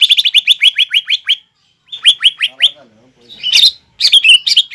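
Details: Aggressive green leafbird singing, its song filled with mimicked calls such as sparrow and prinia, aimed at angering a rival; a quick run of high sharp chirps, a pause, a few more, then scratchy twittering.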